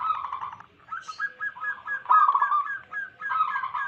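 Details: Several wild local zebra doves in a trapping lure, their rippling cooing trills and short staccato coos overlapping continuously, with a brief higher chirp near the start.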